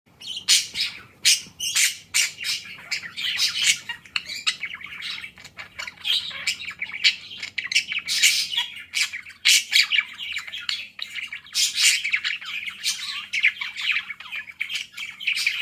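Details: A budgerigar playing with a mirror chatters steadily in rapid, scratchy warbles and sharp chirps.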